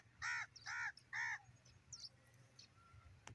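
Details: Grey francolin giving three loud, harsh, nasal notes in quick succession, each about a quarter second long. A few faint chirps and clicks follow in the background.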